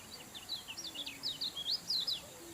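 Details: Lemon-bellied White-eye, known locally as kecial kuning, in energetic song: a continuous stream of quick, bright, high chirps and slurred whistles, each note swooping up or down, with a faint steady hum behind.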